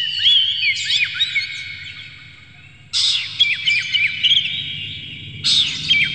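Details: Kacer, or oriental magpie-robin, delivering an emotional lure song to trigger other kacer; dense jumbled chirps and downslurs in three bursts separated by a sudden quieter gap, with a faint low hum beneath.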